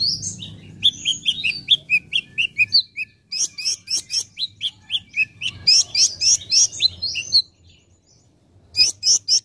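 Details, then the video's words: Olive-backed sunbird masteran song for training caged birds: a long, rapid sequence of sharp, high chirps stepping downward, then dense squeaky twitters, a short silence and a final quick burst. "masteran konin gacor"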